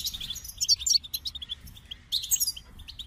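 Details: Short goldfinch song passages: quick, twittering high notes and thin buzzes in two bursts with a quieter stretch between, over light background noise.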